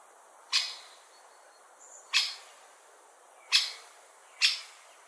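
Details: A Great Spotted Woodpecker gives four sharp, high, clicking 'kik' calls, spaced irregularly about a second apart, against a faint background hiss.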